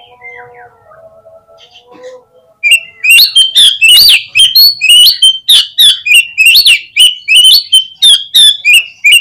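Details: Oriental magpie-robin singing as a lure to set other birds responding and opening their tails: soft wavering tones for two seconds, then a sudden loud stream of piercing whistled notes and upward sweeps repeated several times a second.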